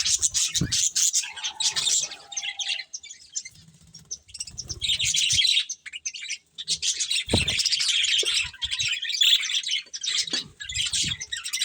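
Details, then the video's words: Colourful budgies eating, giving dense, scratchy high warbling chatter that comes in bursts with brief pauses, plus a short lower whistled note early on and occasional low thumps. "Colourful Budgies Chirping Sounds"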